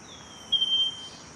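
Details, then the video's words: A Scaly-breasted Wren at Cocorná in Colombia's Magdalena Valley gives a single long, pure, high whistle that sags slightly in pitch, over a faint steady insect hiss. "Scaly-breasted Wren - Microcerculus marginatus"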